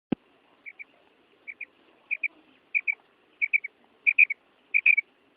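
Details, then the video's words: Female common quail calling: short high paired notes, each pair sharp and clipped, repeated roughly every two-thirds of a second and growing louder toward the end, after one loud click at the start. "Batair Sound / مادی بٹیر کی آواز / Female Batair Sound"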